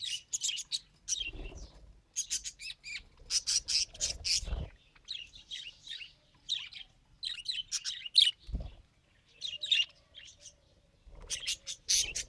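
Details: Budgie trying to talk in bursts of rapid, high, raspy chatter and clicking notes, separated by short pauses, with an occasional dull knock in the background.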